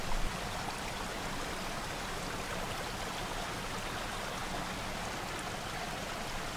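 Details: Steady broadband rushing like a stream or rain fills the whole clip with no animal calls, with a brief louder burst at the very start.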